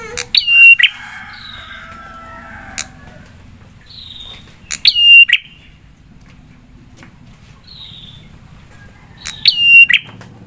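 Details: Prinia luring song meant to make other prinias reply: three loud phrases about four to five seconds apart, each a click, a level high whistle and a buzzy burst, with softer sliding calls between.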